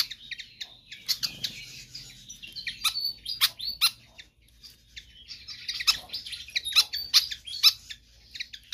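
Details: Pied fantail in lively, insistent song for tutoring or attracting other birds: chattering high twitters and sharp ticks, interrupted by a brief lull midway, then resuming in quick excited bursts.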